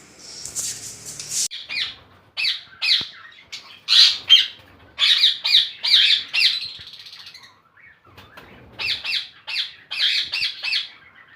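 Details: Ringneck parakeets at a breeding farm holding 400 pairs: harsh, raspy squawks in bursts, about two or three a second with brief pauses, several birds calling together, then a quiet gap before another run of screeches.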